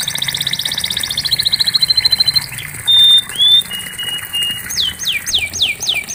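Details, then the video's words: Singing canary, intended to help a silent canary start singing: a fast trill sliding into a buzzy held tone, pure whistled notes, then about five loud down-slurred sweeps evenly spaced. "Terapi Kenari Macet pasti ikut Bunyi"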